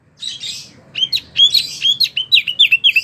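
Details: Short burst of hard singing from a wambie mini, a tutor for competition songbirds: a harsh buzzy note, then quick bright slurred whistles repeated about three times a second.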